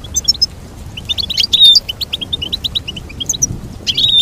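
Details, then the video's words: High, rapid goldfinch twittering. Quick chirps repeat in runs, with a few longer whistled notes. Several birds overlap over a quiet background. "Teach your goldfinch to sing beautiful motivational songs"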